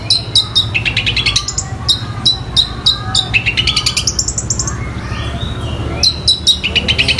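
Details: Long-tailed shrike song imitating fighting sparrows and the tengkek buto: loud rhythmic chirps, quick buzzy trills that rise in pitch, a brief quieter gap with a soft whistle, then renewed sharp chirping.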